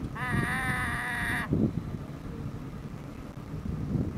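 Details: A pet black-headed caique chattering near a shoebill that ends up yawning, giving one drawn-out, nasal, slightly wavering note just over a second long, followed by low background rumble and murmur.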